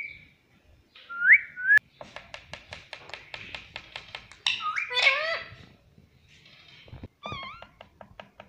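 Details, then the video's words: Chatty parrot that says "mummy papa" gives a bright upslurred whistle, a run of rapid clicking notes, harsh squawking syllables, and short wavering notes, with a faint low indoor background throughout. "मम्मी पापा बोलता बातूनी तोता || parrot sweet voice"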